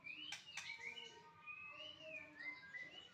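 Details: Melodious whistled song of a white-rumped shama. Two sharp clicks open the clip, followed by smooth, sweeping slurred notes that rise and fall across several pitches in an unhurried flowing sequence.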